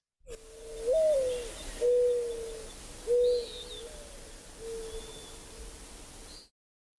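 A soft, mournful cooing from a Mourning Dove: one coo that slides up then down, followed by three or four low, drawn-out notes. A faint, high pewee whistle sounds behind.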